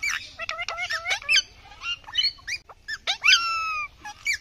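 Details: Indian ringneck (rose-ringed parakeet) giving a run of short harsh squawks with strong overtones, several dropping or hooked in pitch, followed by a longer drawn-out screech with a falling tail, then brief pauses and one more squawk.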